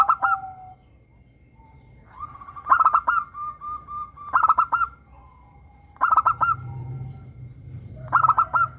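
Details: Zebra dove of local stock singing in the morning: short bursts of rapid, bubbling coo notes recur every second or so, separated by smooth drawn-out lower tones and soft background rumble.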